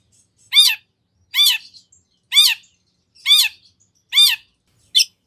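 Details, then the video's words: Long-tailed shrike giving loud, harsh, rasping squawks, each with a downward-arching tone, repeated about once a second; these calls are played to lure another shrike into answering. "Kicau Cendet Gacor Full Isian Nagen! Ampuh Dijadikan Pancingan Agar Cendet Langsung Nyaut"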